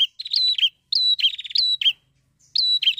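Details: Chatty prinia song played to prompt other prinias to sing; quick buzzy trills broken by sharp rising whistled notes, four tight phrases packed closely with short pauses between.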